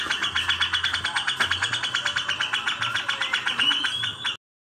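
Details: Grey-cheeked bulbul (cucak jenggot) fighting with a sparrow, recorded as mastering material for songbirds: fast harsh chattering notes pulse steadily about five times a second throughout, bright and layered, ending abruptly.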